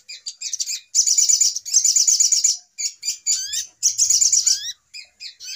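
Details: Little spiderhunter calling as a trapping lure: chattering bursts of rapid, high notes about a second long, separated by short gaps, with rising whistled slurs between them.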